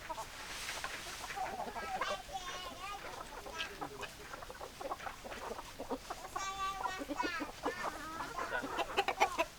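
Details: Chickens, hens and roosters, in a busy flock: dense overlapping clucks and squawks, with harmonic stacked calls and short rising notes through the whole stretch.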